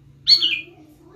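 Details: Grey-cheeked bulbul giving a single bright whistled note that starts high and slurs downward over about half a second, with a faint steady low hum underneath.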